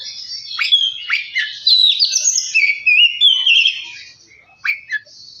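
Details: Oriental magpie-robin provocation song meant to get a bird singing: sharp downslurred chips leading into a flowing run of warbled whistles, fading, then two final sharp notes.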